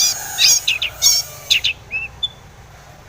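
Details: Brief burst of Long-tailed shrike song meant to stir other shrikes into singing: scratchy high notes followed by a couple of short clear whistles, then quiet.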